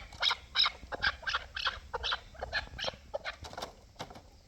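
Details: Hybrid and local chukar partridges calling: bright, grating chuk notes in quick uneven series, several birds answering one another.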